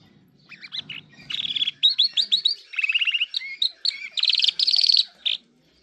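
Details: Irani king jal sings a rapid sequence of chirped upslurs, trilled rattles and loud buzzy phrases, starting quietly over faint low rumble and building to strong harsh notes.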